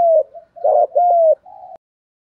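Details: Spotted dove cooing, male and female voices used to stimulate newly caught doves in training to coo: a series of low, mellow hooted notes, the middle two loudest and slightly arched, trailing into a soft final coo.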